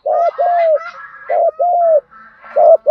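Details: Spotted doves, male and female, in the field-voice 'thúc gù' cooing style used to train captive birds: clear, mellow coos in linked pairs, each a short note then a longer level one, with faint higher murmurs behind.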